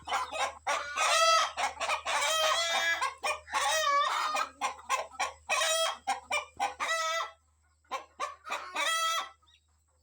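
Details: Morning scene of a rooster and his family of hens let out to forage, the rooster excited and warning of birds of prey overhead. Dense, quick harmonic clucks and loud squawking bursts, tapering to sparser calls near the end.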